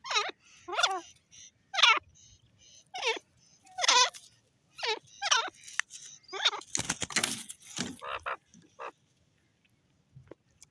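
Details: Grey francolin calling: loud, harsh notes that sweep downward, repeated roughly once a second in a series. A denser burst of overlapping rough notes comes near the end, then quiet.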